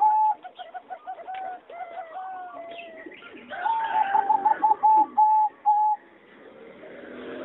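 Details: Competition singing zebra dove in an aviary, recorded 26 April 2014; softer soft-edged coos from neighbours, then one bird's loud even series of clipped coo notes around five to six per second before fading into murmur.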